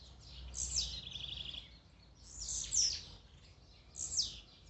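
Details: Blue-black grassquit song in a warm-up mix for a kept bird: high, buzzy downslurred notes, with a lower rapid trill after the first one and two more sharp buzzes spaced over four seconds.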